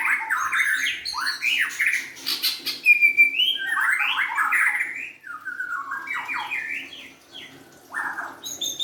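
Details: Young forest-caught white-rumped shama in rich, rapid song: dense clusters of buzzy, warbled notes and upward sweeps, a brief sharp whistle in the middle, phrases tumbling one after another with short gaps.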